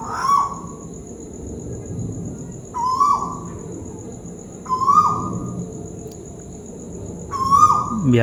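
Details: Tuwu bird of the Malaysian type calling from above: four clear, mellow whistled notes, each rising briefly then sliding down. They come about every two and a half seconds over a constant high hiss and low rumble.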